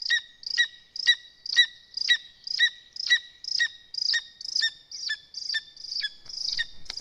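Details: At a lesser spotted eagle nest in Zemgale, Latvia, during feeding, with chicks squabbling, a steady series of sharp, high, downslurred yelps comes about two each second, ending with a faint rustle.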